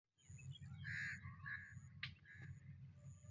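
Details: Black francolin, known locally as kala teetar, calling in a rural village setting: a burst of harsh, buzzy notes lasting about a second, then a sharp click-like note, over a steady low rumble and a thin high whine.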